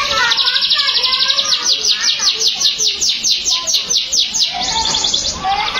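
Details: Canary singing a fast, bright trill of rapidly repeated high sliding notes, about two dozen in four seconds, then switching to a softer, lower warbled phrase near the end; no other sounds stand out.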